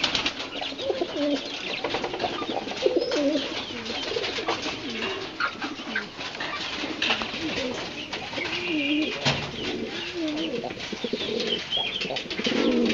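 Pigeons cooing in soft, throaty, rolling phrases that overlap through an enclosed space.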